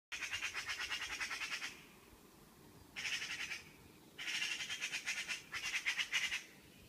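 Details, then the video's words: A suspected Eurasian magpie, recorded at 05:12 in the morning, gives four harsh, rattling, machine-gun-like chatters of rapid dry notes, each burst about a second, separated by short pauses. "Eurasian magpie call"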